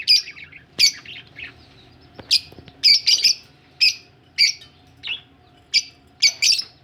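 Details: Budgerigars kept as a colony, described as ready for laying eggs: short harsh chirps repeated roughly every half second, some doubled into quick pairs, over a quiet background.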